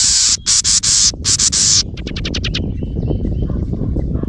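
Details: Close to its nest and upset by a camera, a house wren gives a run of loud broken rasping buzzes, then a rapid stuttering string of short ticks. Steady low rumble throughout.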